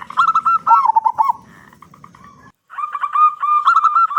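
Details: Local zebra dove singing loudly and vigorously, used to coax other zebra doves to start singing; a run of wavering cooing notes, a short silence, then a steadier series of repeated coos.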